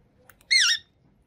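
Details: Green Indian ringneck parakeet giving a single short harsh squawk, rich and layered, lasting about a third of a second, in an otherwise quiet room.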